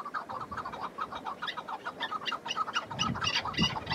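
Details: Wild chukar partridge in snowy spring mountains: a fast, excited string of harsh chuk notes, nearly four per second, gaining rasping upper tones, with low wind rumble near the end.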